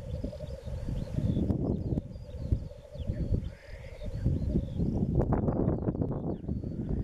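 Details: Spring lek of black grouse, east Wales, March 2016: a continuous dove-like bubbling murmur, mid-low and unbroken, beneath strong wind buffeting and a few distant high bird calls.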